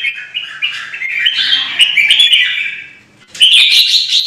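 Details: Vietnamese caged red-whiskered bulbul in an aggressive singing duel meant to stir up rivals. Continuous run of sweet, slurred, rising and falling whistled notes, a short silence, then a loud fresh burst of song.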